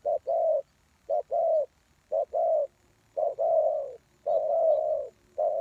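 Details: Lure spotted dove calling to attract wild doves: five paired phrases, each a short note and then a drawn-out rolling coo, spaced roughly one second apart in quiet surroundings.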